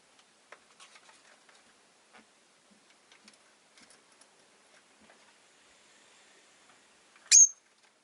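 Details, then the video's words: Pet rosy-faced lovebird: faint clicks and light rustling for several seconds, then a single loud, shrill, high-pitched chirp near the end. "Lovebird Chirping Sounds"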